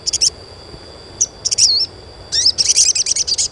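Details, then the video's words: Chirping of an Asian pied starling, played to stimulate young starlings to sing; short bursts of high, scratchy chirps and a whistled dipping note, ending in a fast, dense chatter of repeated chirps. "SUARA CUITAN SOGON UNTUK PANCINGAN SOGON BAHAN AGAR CEPAT GACOR"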